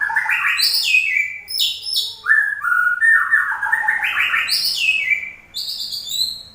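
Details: White-rumped shama singing energetically: descending whistled phrases, buzzy ringing notes and rapid rising runs, repeated in quick succession with barely a pause.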